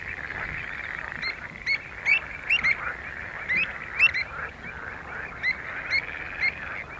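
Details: Pied avocet filmed in June 2015 at Skanör and Falsterbo, Sweden, giving short, clear, fluty notes about every half second in loose runs, over a continuous murmur of other birds.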